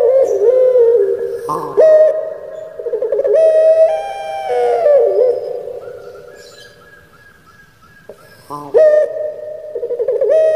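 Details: Captive puter pelung dove from Java, Indonesia, singing in the crying style: a chain of deep, resonant, wavering coos with abrupt breaks and downward slurs, one long fading note, then renewed loud rolling coos.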